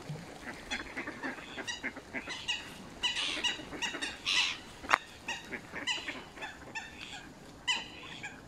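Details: Canada goose at close range on Smith's Pool in Fenton, Stoke on Trent, UK, filmed by mobile phone on November 21 2021. Busy, overlapping nasal honks repeat rapidly throughout, loud and bright, with one sharp click near the middle.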